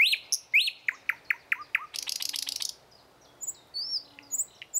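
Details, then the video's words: In the morning a thrush nightingale delivers a series of loud, sharply descending notes, about two a second. A dry, rapid rattle follows, then softer high whistles and slurred notes. "Nightingale song Утреннее пение соловья Спів солов’я"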